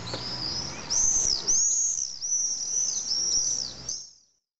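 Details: Common swifts nesting in the drainage holes of a retaining wall on a hill in Nice, France, on a July evening; a rapid series of thin, high, arching screams run together for about four seconds.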